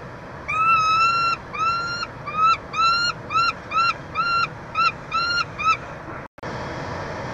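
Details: Peregrine falcons feeding a chick in a nestbox at the University of Montreal, Quebec, 22 June 2023; a long whining note followed by a brisk series of shorter arched squeals, then a brief dropout and quiet.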